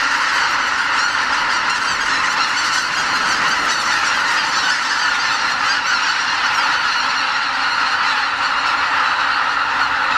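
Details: Spring stopover on Hokkaido: about 80,000 greater white-fronted geese lifting off from the Lake Miyajimanuma roost in Bibai before sunrise, flying out to feed on farmland. Massed honking and yelping pours out continuously, a dense layered clamour.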